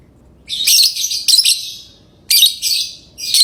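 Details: Lovebird chattering in long, piercing, buzzy bursts: one extended outburst, then a second after a short pause, with a final note cut off at the end.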